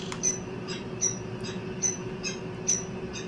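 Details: Peregrine falcon (Falco peregrinus) at a nest where the female went missing for two days near the end of egg incubation, giving short, thin, high squeaky calls irregularly once or twice a second over a steady low electrical hum.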